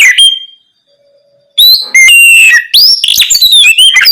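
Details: Night song of an Oriental magpie-robin, played to coax young untrained birds into replying: a brief held whistle, a pause, then a dense rush of rich, swooping whistles and harsh chirps.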